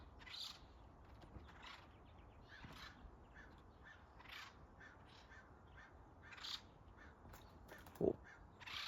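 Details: A family of acorn woodpeckers living at the top of a tree, apparently calling to others in a nearby tree, give harsh, raucous, crow-like calls, repeated irregularly every one to two seconds; a single sharp knock sounds near the end.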